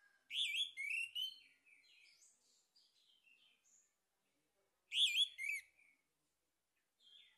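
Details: Male orange-headed thrush song used as a lure to stimulate singing: two rich phrases of loud, varied, slurred whistles and twittering notes, each trailing into softer warbles, in a quiet setting.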